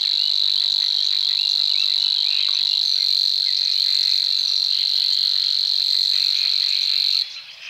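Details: Savi's warbler, a bird of Czech lakeside reeds whose males sing to mark territory in mating season, delivers a long, even, insect-like reeling buzz for about seven seconds, stopping abruptly, with faint other birds behind.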